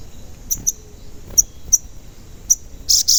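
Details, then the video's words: A crimson sunbird (sogon) gives piercing high cuit notes, some of them doubled, ending in a brief buzzy burst. The recording serves as a lure to make other sogon sing. "Pancingan Sogon Agar Bunyi dan Emosi"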